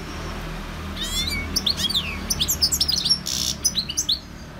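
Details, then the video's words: Wild goldfinch singing: a series of slurred, descending whistles and bright chirps, broken by a harsh buzzy note, then more quick twittering notes. "GOLDFINCH SINGING"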